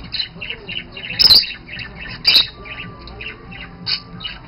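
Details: Budgerigars mating, a pair that later produced five chicks: chattering in a fast, scratchy warble broken by two sharp, loud squawks.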